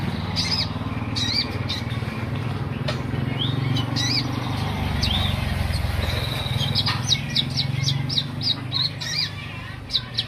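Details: Olive-backed sunbird calling repeatedly with high, arched tweets, first spaced out and then quicker toward the end, mixed with sharp ticks over a constant low hum.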